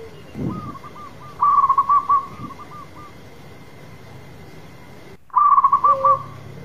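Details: Zebra dove of a local type singing loudly: a stuttering run of quick clipped whistled notes, a long quiet gap, then another rapid burst trailing into a brief lower coo.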